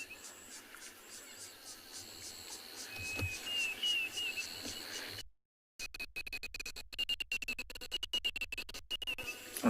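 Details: A Diederik cuckoo calls at sunset on 29 October at a dam in Tswalu Kalahari Reserve, South Africa, with elephants nearby, giving high, clear whistled "dee-dee-dee" notes in a quick repeated run over buzzing insects.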